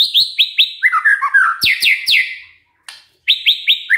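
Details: Lure song of a white-rumped shama, meant to set other shamas singing: loud downslurred whistles in quick succession, a lower warbled run, sharp descending notes, a short pause, then renewed whistles.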